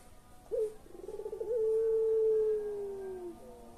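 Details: Collared dove in pelung style, recorded to trigger silent birds into calling, gives a sharp upturned note, a string of wavering pulses and an exceptionally long level tone fading slowly downward over nearly two seconds.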